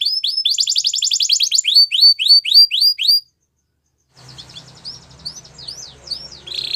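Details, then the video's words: Belgian canary training song: quick swooping whistled notes and a fast trill for three seconds, a silent gap, then softer scattered chirps and a brief high buzzy note over low hum. "Canary Training Song | Belgian Canary Singing"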